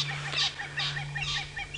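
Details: Several francolins in the Sabi Sand, South Africa, on a sunset drive, July 12, 2017, shouting for a long time near a drainage line: harsh, grating calls in quick bursts about every half second over a steady low engine hum.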